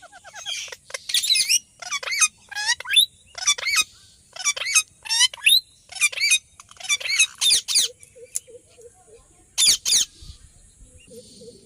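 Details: Ringneck parakeet chirping and calling: a long run of harsh, raspy screeches in irregular bursts, interspersed with softer quick chattering notes and a few quiet low clicks.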